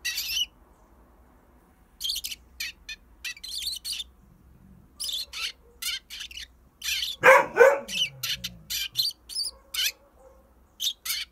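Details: Pet Eurasian tree sparrow placed at an entrance for sunbathing while a dog barks nearby. Brief, high chirps come in irregular clusters, often several per second. A single loud bark sounds about two-thirds of the way through.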